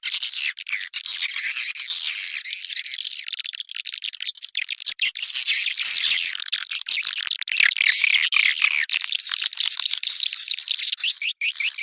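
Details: White-nest swiftlet calls: a dense, continuous high chattering of buzzy twitters and squeaky notes that overlap without pause throughout.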